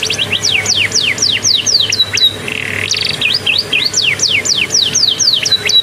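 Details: Canary taught Bar-winged prinia song, singing while sunning after a bath: quick series of sharp descending whistles, a brief harsh buzzy rattle midway, then more rapid down-slurred notes over faint hum.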